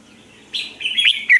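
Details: Red-whiskered bulbul kept caged as a lure bird in Vietnam gives a short burst of warbling, slurred whistles rising in strength to a final sharp note.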